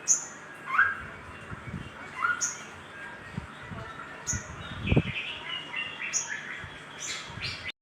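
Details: Little spiderhunter calling vigorously in a lure recording meant to stimulate other birds: short sharp high chips repeated about every two seconds, with softer lower chirps and faint low thumps between them.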